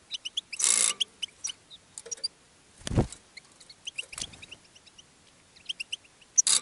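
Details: Caged European goldfinch singing while attracting other goldfinches: busy, tinkling, high twitters run throughout, broken by several loud rushing bursts of noise.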